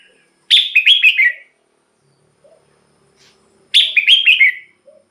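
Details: Red-whiskered bulbul, recorded for luring or exciting birds, gives two loud cheerful warbled phrases about three seconds apart, rapid bouncing notes descending at the end, with faint low chirps in between.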